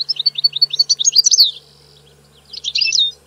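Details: Short burst of bright, rapid European goldfinch twittering rising in intensity, a brief pause, then another quick tinkling phrase; faint steady low hum.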